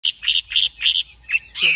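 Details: Large-bodied caged Chinese hwamei singing: a brief run of four loud, even, bright repeated notes at steady intervals, then two shorter, lower-pitched phrases.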